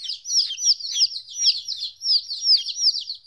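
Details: Fourteen-day-old chicken chicks separated from their mother, chirping loudly: bright, high cheeps, some arching up then down, repeated almost three per second by several birds at once.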